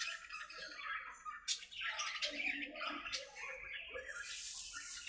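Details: Several budgerigars in an aviary chattering as they play together, a steady stream of scratchy warbling, clicks and short squawks overlapping throughout, ending in a hissy, noisy burst.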